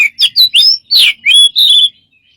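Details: A bird said to make many strange sounds utters six loud, quick chirps and slurred whistles in under two seconds, the notes sweeping up and down, then falls silent.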